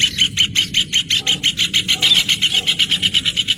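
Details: Rufous hornero singing: a loud, rapid run of sharp, even notes, about five or six per second, sustained throughout with a slight shift in pace, over a low background rumble.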